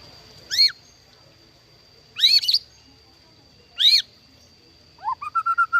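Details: Captive-bred white-rumped shama giving spaced, loud downslurred whistled notes about every one and a half seconds, followed by a quick run of short repeated whistles on a steady pitch.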